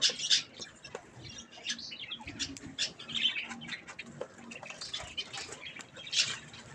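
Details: Budgerigars, kept as pets, chattering while eating strawberries; scattered short harsh chirps and squawks, rather quiet, with low background noise.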